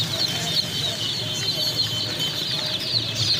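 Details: Young chicks chirping en masse: rapid, high, overlapping peeps forming a steady shrill band, with a soft low drone in the background.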